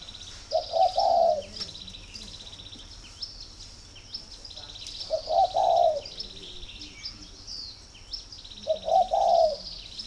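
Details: Spotted dove kept in a breeding garden in Ba Vì district, Hanoi, Vietnam, calling when ready for pairing: three soft, low coo phrases spaced about four seconds apart, each a brief double note into a drawn-out purr, over thin high bird twitters.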